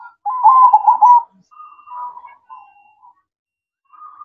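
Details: Zebra dove (perkutut) at night giving one loud rolling, trilled coo phrase, then softer drawn-out coos and a quiet pause before a faint note.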